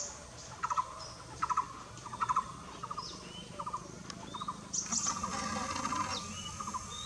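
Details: Repeated pulsed, knocking phrases of a Blue-throated barbet at Nam Nao, every 0.7 seconds or so, softening later as a high twittering bird and a brief burst of noise join in.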